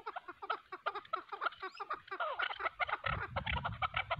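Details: Chukar partridges, a hunting decoy facing a wild bird in a fight, give rapid chuk-chuk notes in a fast, steady series that bunch into denser overlapping calls; a low rumbling noise joins in toward the end.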